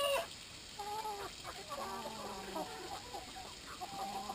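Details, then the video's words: Brahma chickens at drinking time, giving soft overlapping clucks and short nasal calls over a steady background hiss. "time for water - brahma chickens.."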